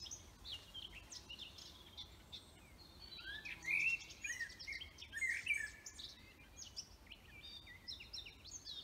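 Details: Several birds singing in a forest: a busy mix of high chirps, twitters and quick whistled phrases, overlapping continuously with a couple of louder trilled bursts, over faint low background hum.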